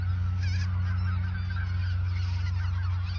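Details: Geese in the Ochsenmoor nature reserve in autumn 2022, a few days before migrating south; overlapping nasal honks from a flock, partly buried under a loud steady low hum that runs throughout.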